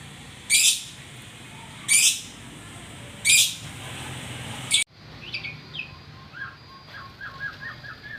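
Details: White-rumped shama with three loud, rasping bursts spaced about one and a half seconds apart. After an abrupt cut come soft, quick chirping notes.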